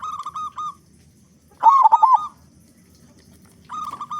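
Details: Local zebra dove with a big voice, song meant to prompt other doves to sing; a loud bubbling coo between quieter level trills, with faint low background noise.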